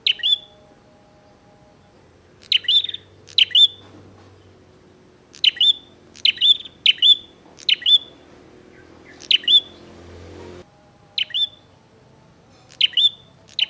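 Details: Actively calling bar-winged prinia, challenging to fight: about a dozen short, piercing chirp phrases in irregular bursts, several paired closely together, with a steady low hum and a brief rush of noise near the end.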